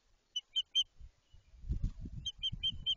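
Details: White-tailed eagle calling as nest building begins in Jedwabno, Poland: three shrill yelps, then low rustling and rumbling, then a quicker run of four similar high yelping notes.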